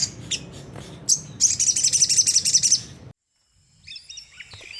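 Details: Sunda whistling thrush in rough 'ngriwik' twittering, a lure meant to prompt caged birds to sing: a few sharp chips, then a dense high buzzy chatter, a brief silence, and faint thin notes afterwards.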